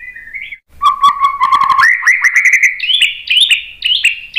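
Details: Song of a white-rumped shama played as a lure to get a reply: a brief whistle, a low whistle over rapid clicks, then notes climbing stepwise into bright, warbled higher phrases.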